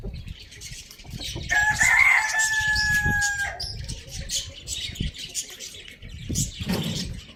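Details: Pet rooster kept with hens, chicks and budgies, crowing in the morning: one long, loud, drawn-out crow lasting about two seconds, level then ending abruptly, over constant high budgie chirping and twittering.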